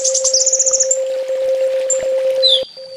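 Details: Master song of an olive-backed sunbird, locally kolibri ninja, 'full tembak' style for training home birds: a fast high rattle of chips at the start, then sparse thin whistles and a brief rising note, with a constant hum.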